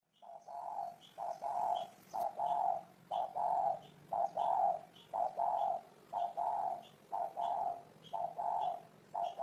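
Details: Spotted dove cooing steadily: low, hollow coo notes in paired and triple groupings, about one phrase per second, with brief higher chirps from another bird throughout.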